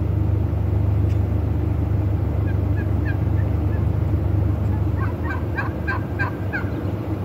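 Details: Wild turkey in breeding display; scattered faint notes, then a louder rapid gobbling rattle near the end, all over a constant deep rumbling background.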